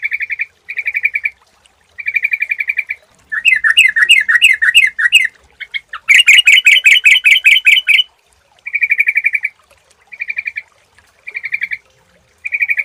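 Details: Lure sound of a sooty-headed bulbul: short bursts of rapid, even chirping trills alternate with two louder, harsher chattering runs in the middle, all at a similar bright pitch, separated by brief silences.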